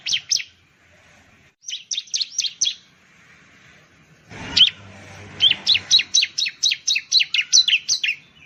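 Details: Bar-winged prinia, widespread in Indonesia, sings short bursts of high chips, then after a low thud a long, fast, even series of sharp downslurred notes.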